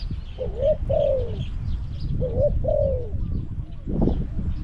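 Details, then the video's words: Caged spotted dove calling as a decoy to draw in wild doves at Song Phi Nong. It gives two paired coo phrases, a short rising note then a long descending coo, with a brief noisy thump near the end. "ต่อนกเขาใหญ่ EP302ลุ้นนกป่าที่สองพี่น้อง"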